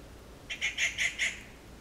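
Oriental honey buzzard giving five quick, high, slightly harsh whistled notes in an even series lasting under a second, with a faint background hiss.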